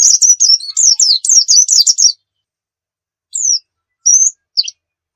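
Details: Oriental white-eye song used as a tutor for other birds: a fast run of high, thin, warbling notes for two seconds, then three short separate whistled phrases after a pause, with silence in between.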